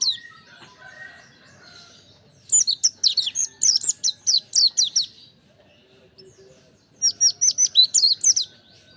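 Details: Mountain white-eye giving energetic song: after some soft, lower chips, two bursts of fast, very high, descending twitters ring out, separated by a brief quiet pause.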